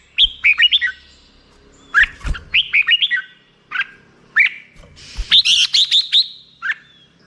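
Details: Black-crested bulbul delivering short groups of descending, slurred chirps separated by brief pauses, ending in a dense burst of higher notes; occasional low knocks are audible.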